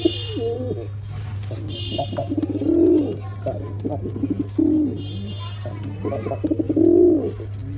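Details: Black pigeon coos, three swelling arched calls spaced a few seconds apart with rapid clicking notes between, over a steady low hum and a faint higher whine.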